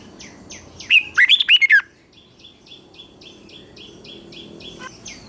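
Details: Red-whiskered bulbul, southern Thai master-style song used to excite other bulbuls: one fast burst of six bright warbled whistles, then a string of soft repeated chirps from another bird, about three a second.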